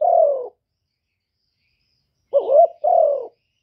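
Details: Spotted dove used as a decoy, cooing to excite other doves: one drawn-out descending coo, a pause, then a quick warbled note joined by a fuller, steady, gently falling coo.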